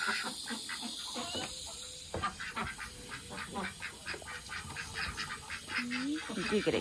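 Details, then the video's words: Ducks grow excited as water pours into their pond, giving an uneven series of hoarse, rasping quacks with a rising squeal near the end, set against constant hissing water. "ducks noise while I fill pond"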